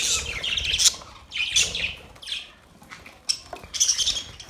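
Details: Budgies chirping: loud, high, scratchy warbled phrases with quick downward-swept notes, coming in bursts about every second.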